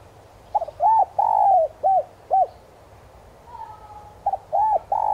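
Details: Spotted dove decoy bird cooing in the standard 'son' voice style, used to stir up and lure wild doves. Two phrases of low, hollow coos, each of short notes with one long, drawn-out, falling coo. Quiet background.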